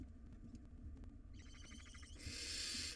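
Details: Barn owl nestlings, wild, in a nest box and tussling over a big rodent: a quick rattling, stuttered twitter runs into a loud, sustained, breathy hissing screech that fills the last second.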